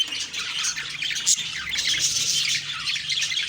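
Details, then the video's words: Budgerigars in the morning keeping up a continuous squeaky chatter, many overlapping warbles with one sharper shrill note standing out briefly. "Beautiful morning birds chirping sounds/Budgie sounds"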